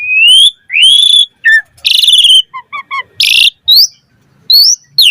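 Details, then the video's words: Asian pied starling song for mastering other starlings: long rising whistles, a harsh buzzy burst, soft paired low pips, then a loud grating squawk and short upward whistles. "Pancingan Jalak Suren Gacor Full Variasi Untuk Masteran Suara Burung Jalak Agar Gacor Full Isian"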